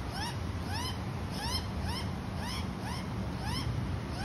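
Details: An Australian magpie (Gymnorhina tibicen) feeding its baby gives short, rising, nasal squawks repeated about twice a second, over a steady low rumble of background noise.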